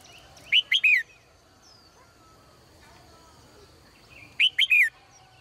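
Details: Morning song of a caged female bird: two bright triple-note whistled phrases, each under half a second, separated by nearly four seconds of quiet hum.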